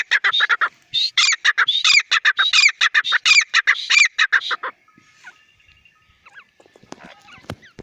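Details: Partridge, locally called teetar, calling in a rapid series of loud, harsh, repeated notes for about five seconds, each note buzzy with rising and falling strokes, then quiet with faint chirps from other birds.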